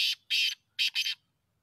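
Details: Black francolin (black teetar) call recorded for hunting: a harsh, buzzy, grating phrase of four loud notes, a short clipped opener then a longer rasp and two quick linked notes, all within about 1.2 seconds over a quiet background.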